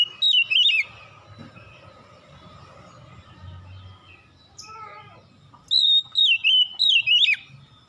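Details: Oriental magpie-robin singing at dusk: two short bursts of loud, clear whistled phrases, sliding and warbling high, separated by a long quiet gap with faint low background hum.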